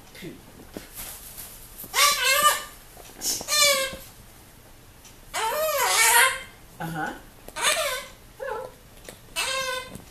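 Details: Pet severe macaw indoors, checking out a visitor at the window: loud, harsh, speech-like squawks with bending pitch, delivered in short bursts every second or two, with quiet room sound between them.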